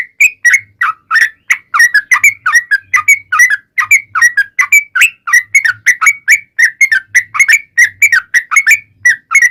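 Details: Yellow-vented bulbul singing a long rapid run, used to lure other bulbuls into answering. Nearly ten seconds of continuous bubbly whistled notes, quick and slightly irregular, with rising and falling inflections.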